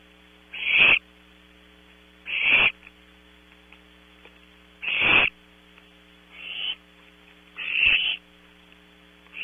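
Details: Barn owl owlets calling at night from a nest box at Audubon Starr Ranch, California: five hoarse, hissing screeches at irregular intervals of roughly one and a half to two and a half seconds, with mains hum throughout.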